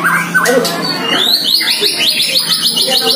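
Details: Year-old White-rumped shama singing at a rival neighbour's shama in its first training: a few descending whistles, then a long rising slur leading into a fast, evenly repeated high trill of about ten notes.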